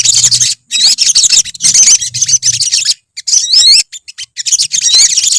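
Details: Flock of olive-backed sunbirds (sogok ontong) singing: dense high chatter with rapid rising trilled whistles in bursts and short silent breaks, plus a low hum in the first half.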